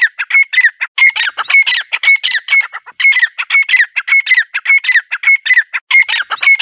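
Grey francolin giving loud, shrill, grating phrases, repeated about once a second in a steady, ringing rhythm with no other sounds.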